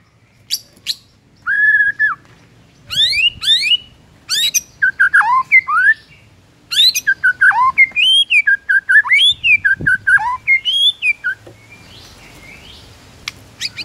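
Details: Morning song of a White-rumped shama, aimed at stirring up rival birds: bursts of varied whistles, trills and sharp chips with silent gaps, ending in quiet background hiss.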